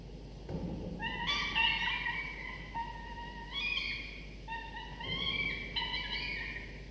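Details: Two drowsy falcon chicks, 24–25 days old in a nest-cam nest, give whiny, harmonic begging calls in short bursts, several each second, some steady and some slurred upward, while the father brings prey for their second morning meal, over low hiss.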